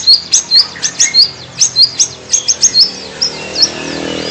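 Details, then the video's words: White-rumped shama giving quick high whistled notes, about three per second, each a short upslurred chip, fading toward the end over a steady background hiss. "kicau murai batu.. fuul isiaaan"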